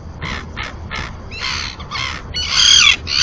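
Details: Common terns, two nesting pairs incubating on a floating platform at the breeding colony in the Marismas de Astillero reserve, Bay of Santander, Cantabria, Spain, caught by webcam: harsh, rasping notes in quick succession, building to a longer grating call, over a low rumble.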